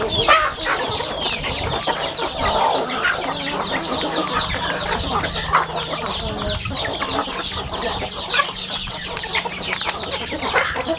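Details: Chickens on a farm while eating: a dense chorus of thin, high, downward-slurred peeps overlapping continuously, with soft clicks and a steady low hum underneath.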